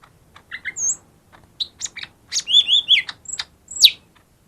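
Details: Lesser green leafbird song used to trigger singing in quiet birds: paired chirps, high whistles and a run of slurred, wavering phrases, loud and varied over a few seconds.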